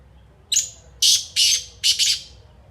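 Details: Black francolin, known locally as kala teetar, giving one loud call phrase: a thin high introductory note, then three harsh, grating, rasping bursts, the last split in two, against a quiet background.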